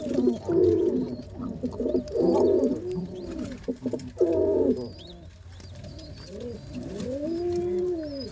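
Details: Father pigeon feeding two baby pigeons at once; loud bursts of low, harmonic cooing and squeaky begging around 0.5–2.5 s and 4.2 s, then softer arched coo-like calls near 6–8 s, with faint high chirps above.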